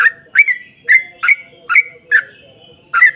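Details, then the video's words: Gacor 'ropel panjang' song of a yellow-vented bulbul, played to get other bulbuls singing: seven bright, gurgling whistled notes, each quickly rising then falling, with short gaps between them. "trucukan gacor ROPEL PANJANG buat pancingan trucukan agar bunyi"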